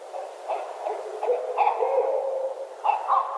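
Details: Two Barred Owls calling back and forth during the day or evening while still light, trading wild, mid-pitched hoots and cackling, wavering notes in quick, irregular bursts, one owl using both calls interchangeably.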